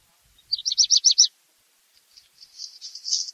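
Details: Song of the black redstart: a tight burst of six or seven high jerky notes, then after a gap a long rasping, crackling hiss that grows louder toward the end.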